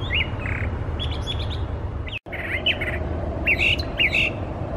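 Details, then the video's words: Singing Brown Thrasher, a bird that imitates other species, delivering a rich jumble of short whistled and burry phrases, some doubled, with one brief dropout in the sound partway through and low background noise. "The Talkative Thrasher"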